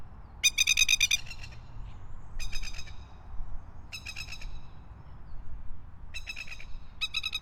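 Masked lapwings give loud, harsh, rapid rattling chatters in bursts about every one to two seconds, over a steady low rumble of wind or distant traffic.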